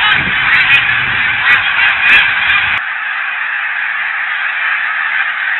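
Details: Snow geese wintering at Blackwater National Wildlife Refuge ponds: loud overlapping honks with a few clearer yelps for nearly three seconds, then the flock chorus continues slightly softer and smoother.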